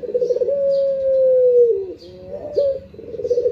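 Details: A pet Barbary dove in the morning gives a low, drawn-out coo that slides gently downward, followed by a shorter rolling note, with faint high chirps from small birds.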